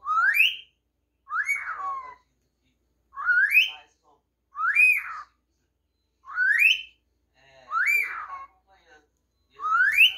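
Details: Whistling pet cockatiel repeats a two-phrase tune: an upward-swooping whistle followed by a tone that jumps up then slides down, cycling steadily about every 1.5 seconds over ten seconds, quiet indoor background.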